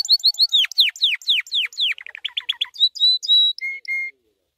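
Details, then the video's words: White canary in training song: repeated down-slurred whistled syllables, a quick lower stuttering series, then level clear whistles at two pitches before stopping. "White Canary 12h Singing - The Best Training Song"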